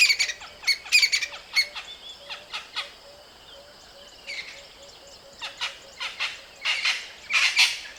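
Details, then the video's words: Crested francolin giving harsh, rasping calls in uneven bursts, loudest at the start and end, with a soft series of low piping notes from another bird between; a small bird with a strong voice. "Bird, crested francolin, francolinus sephaena"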